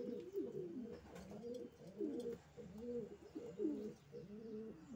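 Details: Racing pigeons cooing, low warbling coos in several overlapping voices, with a rhythmic pulse and occasional sharper, higher notes.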